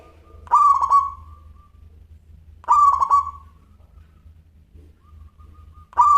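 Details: Local Indonesian zebra dove (perkutut) in full song, giving soft, rapid bursts of mellow cooing notes about every two and a half seconds, over a faint low hum.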